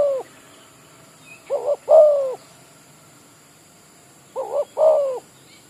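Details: Spotted dove, a village bird used as a decoy for trapping, giving two cooing phrases, each a short double note followed by a longer drawn-out coo, with a long quiet pause between them.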